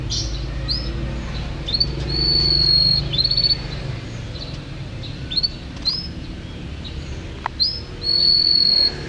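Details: Champion canary in full, steady song: high whistled notes held level, mixed with short rising chirps and quick trills in bursts across nine seconds, over a constant low rumble of background noise.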